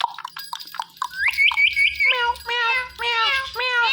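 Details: Pet Indian ringneck parakeet talking: a quick run of short chirpy notes, then a series of nasal, cat-like meow sounds with wavering pitch, repeated about every half second. Faint music sits in the background.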